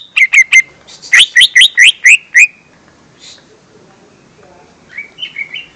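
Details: Lesser green leafbird lure song for young birds: rapid bursts of sharp chirps, then a run of rising slurred whistled notes near 2–4k, a quiet pause, and softer warbled notes at the end.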